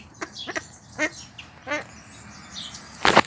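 A male Temminck's tragopan gives four short, buzzy, rasping notes about half a second apart, followed by a loud burst like flapping wings.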